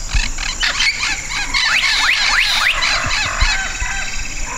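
Black-capped Donacobius giving a quick run of loud, rising whistled notes, about four in a second, over a dense, buzzing background of insects and frogs.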